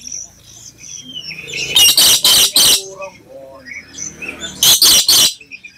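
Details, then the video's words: Lure call of a black lory meant to provoke other lories: thin whistles and chatter, then three loud raspy screeches, more soft chirping, and a second burst of three harsh screeches. "nuri kelam black lory PANCINGAN SUARA BURUNG NURI"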